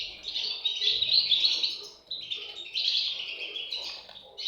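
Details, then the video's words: Young European goldfinches produce two loud bursts of shrill, rapid chirping separated by a brief lull near the middle. "صوت فراخ طائر الحسون"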